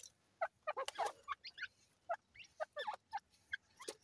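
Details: Grey francolin chicks, irani teetar, uttering separate short piping peeps and brief upward chirps at irregular intervals, some doubled, over a quiet background.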